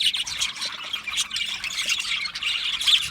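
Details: Budgies give rapid scratchy squawks and bright chirps in quick succession, a busy high chatter of several birds overlapping throughout.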